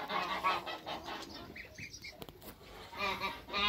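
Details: Backyard Toulouse goose mother beside her newly hatched hybrid African and Toulouse goslings, first day; rough nasal honks open and close the moment, with a few soft high peeps in the quieter middle.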